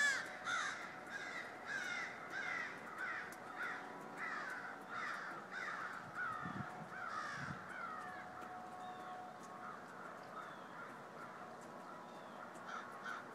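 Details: Crows in a calling flock shortly before snowfall on Friday, December 13, giving a run of rasping caws about twice a second for eight seconds, then fading to scattered, distant calls.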